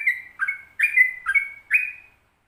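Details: Brief 'ropel panjang' phrase from a sooty-headed bulbul: five rich, bright whistles, each swooping from a lower note into a sustained higher one, then silence.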